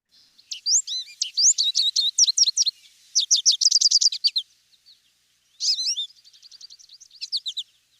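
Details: American Goldfinch song, a bird of old fields, shrubby areas and hedgerows: a long, rapid, jumbled run of high twittering notes and sweet slurred phrases, with quick trills and brief pauses between bursts.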